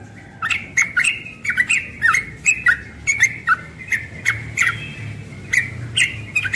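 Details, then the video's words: Young yellow-vented bulbul singing ropel in the morning, a lively rattle of quick slurred chirps punctuated by sharp ticks, repeated phrase after phrase with no real pauses, low hum in the background. "Trucukan muda ropel pagi"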